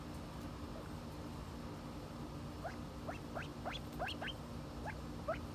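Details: Silver pheasant in the United States: after a quiet start, a burst of rapid, thin rising chirps follows, several in quick succession, then a few more scattered ones, over a steady droning hum.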